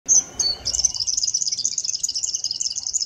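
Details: An East African (eastern) double-collared sunbird from an isolated sky-island population sings: very high, thin notes, two quick whistles, then a fast, continuous, jangling twitter of tiny squeaky notes lasting several seconds; no other clear sounds.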